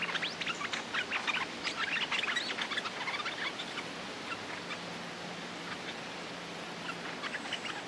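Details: Territorial male Streak-eared bulbul, ready to fight, chattering in a dense run of rapid sharp chirps for about four seconds. The notes then thin out to a few scattered ones over a low background hum.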